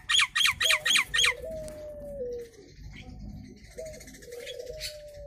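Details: Nias hill myna, a local hill myna form, used as a lure to make other mynas answer; a rapid run of five loud harsh notes, then a long low steady tone with faint squeaks behind.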